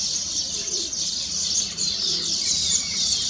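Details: Many weaver birds sing on newly completed nests, a steady high-pitched chattering and wheezy chorus with overlapping chirps and a thin descending whistle near the end.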